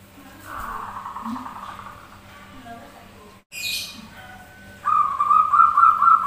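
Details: Zebra doves (perkutut) singing in reply to one another, a lure recording to prompt singing: muffled, mixed background sounds at first, then a loud, rapid, buzzy trill held at one pitch in the final second and a half.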